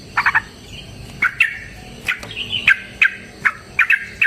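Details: Fighting song of a Yellow-vented bulbul, a long-running lure song: bright chirps and short slurred whistles, grouped in small bursts with brief pauses between them.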